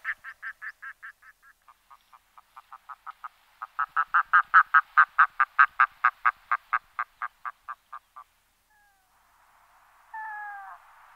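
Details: Red-throated loon calling in long runs of clipped, honking notes: a loud burst, a softer slower stretch, then a louder fast series rising and falling, ending with a brief wailing note against faint hiss.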